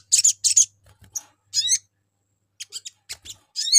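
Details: Sogon lure call aimed at drawing a response from other birds: paired scratchy high chirps, then a rising buzzy note and clusters of thin ticking notes, with a low hum underneath.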